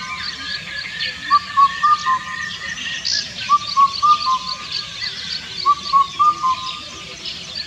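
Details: Indian cuckoo (Cuculus micropterus), song.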